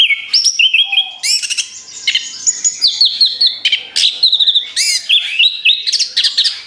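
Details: Orange-headed thrush singing a relentless rapid-fire series used as a lure for other birds: loud, bright whistles, quick upslurs and trilled high notes tumbling one after another without pause.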